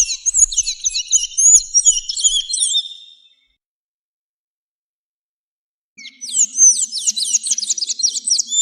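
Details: Sayaca tanager singing a high, rapid warble of thin, twisting whistled notes. Two bursts are separated by about three seconds of silence, with no other sounds.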